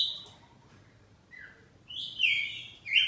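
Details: Home-kept oriental magpie-robin of the kacer poci type in ngeplong song exchange. A lone whistle opens, a quiet low slur follows after a gap, then a loud, drawn-out whistled phrase.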